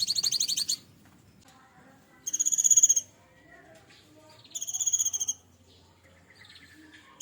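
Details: Cinereous tit, raised by hand from a nestling and now maturing, caged, delivering a varied learned song. Three dense bursts of high, rapidly repeated piercing notes roughly two seconds apart, with faint low murmurs in the quiet gaps.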